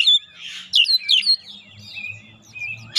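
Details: Oriental magpie-robin, known locally as kacer, in provoking lure song: a high whistle, a harsh buzz, then quick slurred whistles and thin trailing notes, with faint low hum behind.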